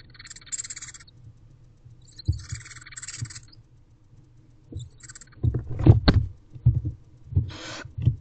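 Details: Barn owl owlets with siblings in a nest box, recorded 9 May 2023 just after midday; harsh, broadband hissing screeches come in bursts of about a second, over steady low rumbling and thumping knocks from movement in the box.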